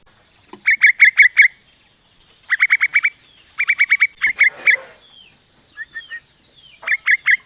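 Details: Female sooty-headed bulbul calling to the male: bright, bubbly phrases of five to seven quick repeated notes, pausing between bursts, with a few softer slurred whistles in the gaps.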